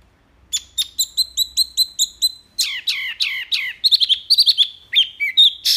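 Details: Wambi song, described as loud, clear and full of varied phrases, used as a master for training other songbirds: a run of rapid repeated high chirps, then down-slurred buzzy notes, then sharp varied whistles.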